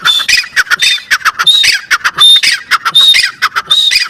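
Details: Continuous rhythmic partridge calling, harsh broad squawks and clicking notes capped by brief high whistles, roughly one phrase per second without a break.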